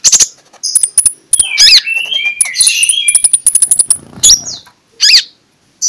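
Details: Oriental magpie-robin in ngeplong-style morning song, used as a lure to make shy magpie-robins sing: sharp clicks and buzzy bursts mixed with high whistled notes and rising-falling slurs, with short pauses.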